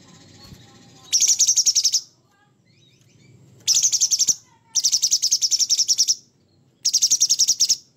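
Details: Sooty-headed bulbul with a coarse, harsh song: four separate bursts of fast, buzzy, high chatter, each lasting about a second, with quiet gaps between them and faint background murmur.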